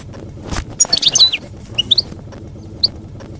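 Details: European goldfinch singing field-style campero song, used to tutor young goldfinches during moult; bright high chirps and a fast tumbling twitter, then scattered sharp single notes over a low background rumble.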